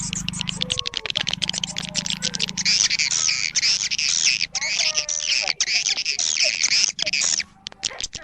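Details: Swiftlets' attraction call for a roosting colony: thick, fast, rattling high-pitched twitters that run almost without pause, over a low droning hum and brief tonal notes.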